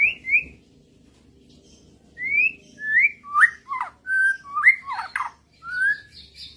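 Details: Murai answering a lure recording: separated whistled phrases, short rising slurs alternating with steep falling notes and quick warbled clusters, a pause early on, with a faint low hum in the background.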